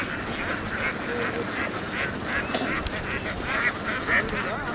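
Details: Flock of laying ducks in Vietnam heading from the field onto a boat; rough, rhythmic quacks follow one another about twice a second over constant engine-like rumble.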